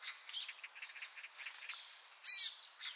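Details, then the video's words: Varied tit giving three sharp, thin, high chips in quick succession, followed by one harsh buzzy note and faint twittering in the background. "곤줄박이 우는소리"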